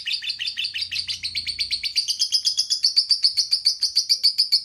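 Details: Lovebird giving a quick, insistent series of high chirps, nearly four per second, growing louder and more regular toward the end.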